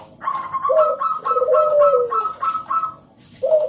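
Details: Local zebra dove in loud lure song for other doves: a steady row of clipped mid-pitched notes over a long, low, falling coo, ending with a short lower coo.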